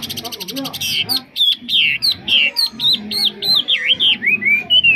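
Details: Chinese hwamei in good song with no faults: a fast stuttering burst of repeated notes gives way to a series of loud looping and rising whistles, about three per second.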